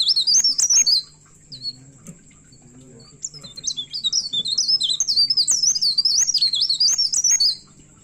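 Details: Myna singing hard and agitated, searching for a rival: an opening burst of shrill twisting whistles, a pause with a faint murmur, then a long rapid stream of wavering, bent high whistles before stopping.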